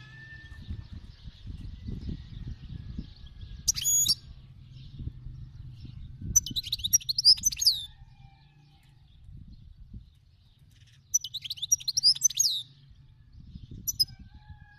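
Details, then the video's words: Wild European goldfinch singing: short bursts of bright, rapid twittering and tinkling notes separated by long pauses, over a steady low rumble of background noise. "تغريد الحسون الخلوي"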